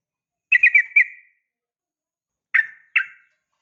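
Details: Female yellow-vented bulbul calling the male: a quick burst of four short chattering notes, then after a pause two separate buzzy, descending notes, in silence.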